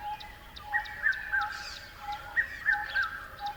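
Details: Birdsong of short chirps in two three-note bursts about a second and a half apart, a constant low droning tone running beneath.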